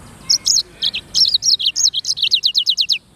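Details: Black-throated canary, known locally as sanger or finch edel, singing a lively song: high sweet whistled notes, then a fast run of about a dozen downslurred chips repeated evenly, with a quiet background.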